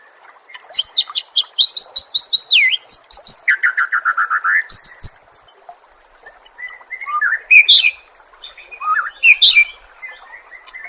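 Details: Murai on a songbird training track: rapid strings of repeated sharp notes, a falling whistle, a steady buzzy rattle, then looser rising and falling phrases after a short pause.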